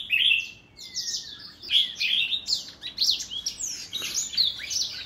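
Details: An older black-throat sings a lively cascade of bright whistled notes and fast trills, opening with a loud sweet phrase and running on in varied bursts.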